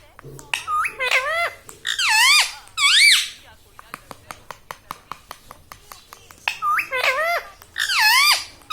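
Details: Pet parrot speaking human words such as "Mummy" and "Papa" indoors: clusters of up-and-down, voice-like syllables separated by soft clicking, with several repeated word-like phrases.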